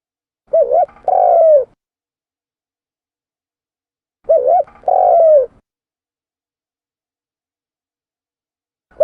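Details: Spotted dove calling for use as a lure: two mellow phrases roughly four seconds apart, each a fast two-part coo then a drawn-out falling coo. The start of a third phrase comes at the end.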